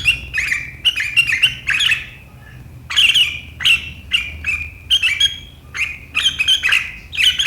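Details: Sharp riwikan chattering of a sooty-headed bulbul, said to provoke rivals into chattering, recorded 7 April 2023; short scratchy bursts with clear whistled notes, repeated in groups about every half second, a quiet pause after two seconds.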